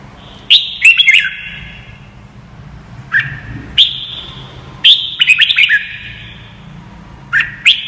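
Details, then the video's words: Red-whiskered bulbul song played so young birds learn it: quick chirpy whistled phrases in irregular bursts, with single sliding notes in between, each note ringing on briefly afterward over a soft hum. "CHÀO MÀO | Luyện giọng chim hót cực hay - luyện má trắng nhanh học giọng"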